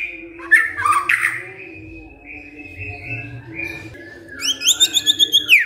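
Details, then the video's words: White-rumped shama answering a lure recording with song: a few short whistles and harsher notes, then a fast rhythmic series of high chipping notes at the end, with a constant low hum. "Murai DIAM Tersentak NYAUT GACOR Dengar Pancingan Murai ini"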